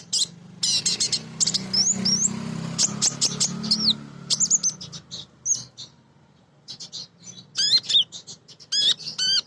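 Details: Female Van Hasselt's sunbird (kolibri ninja), used to coax other birds into singing. High chirps and twitters mix with squeaky slurred whistles, ending in clear rising-falling whistled notes; a faint low hum underneath.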